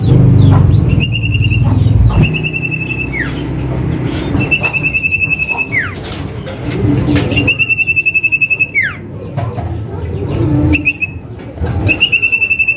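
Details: Calling male Common Iora in lure-style 'manggil nama': repeated drawn-out trembling whistles, some short and some held for over a second, each closing with a falling slur, with brief chirps and a constant low background rumble.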